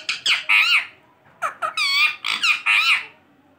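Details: Talking pet green ringneck parrot, an Indian talking parrot, chattering speech-like syllables in two loud bursts: bright, nasal, wavering phrases of rising and falling tone, with a short silent break between them.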